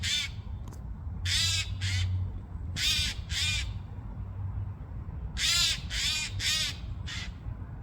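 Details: A Eurasian jay making a noisy racket gives about eight harsh, rasping screeches in pairs and triplets, with short pauses between groups, over a low wind-like rumble.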